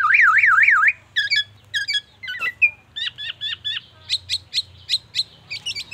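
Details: Black-naped oriole mimicking an ambulance siren and oriental magpie-robin: nearly a second of rapidly rising and falling wailing whistle, then short paired chips and a steady series of crisp whistled notes, about three per second.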